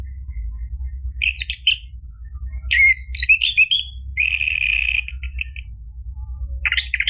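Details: Caged orange-headed thrush song used to prompt another caged bird to start singing: bursts of high chirps, a rich warbled phrase, then a long buzzy trilled note, with steady low hum beneath.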